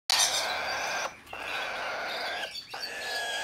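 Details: Blue-eyed cockatoo, hand-tame and bred in Japan, recorded 6 December 2019: a long, harsh, raspy screech held for about a second, then two more drawn-out grating calls after short breaks.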